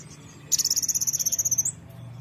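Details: Brown-throated sunbird, its song played to trigger birds to sing: one long, very high, rapid trill of about twenty evenly spaced notes lasting over a second, finishing with a brief rising slur, with faint low hum beneath.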